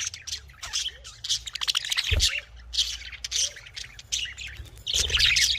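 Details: Kept budgerigars chatter busily: overlapping buzzy warbles and squawky chirps fill the clip, with a few lower curved notes and a brief thump partway through.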